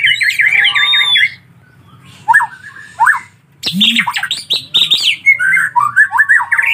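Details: Begging collared kingfisher nestlings: a run of rapid, wavering rasps, then a silent gap, then short rising squeaky notes building into dense overlapping harsh chatter.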